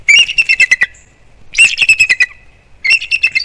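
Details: Nesting bald eagle pair, Captiva/Sanibel Island, Florida, mid-December 2021 morning, vocalizing seriously toward something beside the nest: three separate runs of shrill, quick-fire chittering notes, each run stepping down in pitch, with short silences between.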